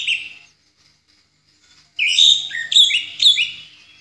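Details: Orange-headed thrush, ngeplong song style, recorded as a master for songbird training. A brief opening note and a long pause lead into a sharp phrase of bright, varied whistles in three strong pulses.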